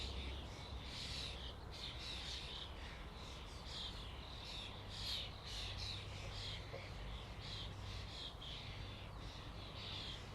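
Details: Flock of common starlings giving a dense, continuous chatter of overlapping squeaky, buzzy calls that pulse in waves, with a steady low rumble beneath.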